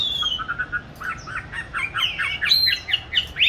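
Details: Caged oriental magpie-robin hung in an ideal place to train its singing, recorded March 2021: a quick run of short rising chirps climbing steadily in pitch, ending in a bright high note.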